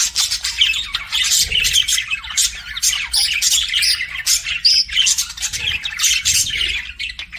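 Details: Several pet budgerigars keep up busy, overlapping chatter: rasping squawks, quick bright chirps and a short whistled upward slur mixed into the steady high-pitched babble.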